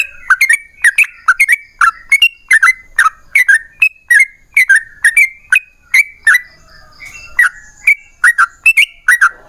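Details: Bulbul lure song: a yellow-vented bulbul in full 'ropel panjang' voice, rapid warbled whistles in quick succession, briefly breaking near the middle before resuming the fast chatter.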